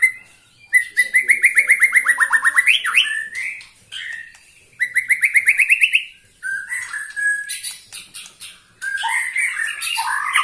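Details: White-rumped shama aged 21 years, singing vigorously in captivity: fast trilled series of rising buzzy notes, about four per second, swelling upward, then a second trill run, followed by varied whistles and a sharp burst of mixed chattering phrases.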